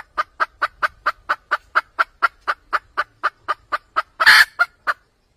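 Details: Cackling red junglefowl hen, used as a trapping lure: a long, steady series of brief clucks, about three a second, then one loud, rough burst near the end before a few more clucks.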